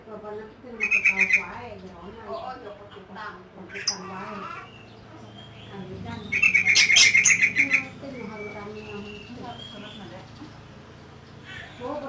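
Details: Lovebird singing ngekek, a long chattering song: two loud bursts of rapid, harsh, rattling squawks, the second running about a second and a half, with softer chirps between and steady background music.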